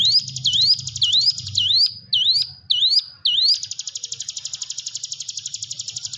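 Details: Hill prinia (Prinia superciliaris) song used as a training lure for quiet birds: clear, sharply upslurred whistles about twice a second breaking into a fast, even, buzzy trill over a faint low hum.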